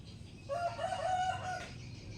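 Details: Sooty-headed bulbul, a wild-caught bird now kept and tamed in captivity, singing actively: a clear, tonal warbled phrase of linked whistled notes lasting about a second, with a low steady hum underneath.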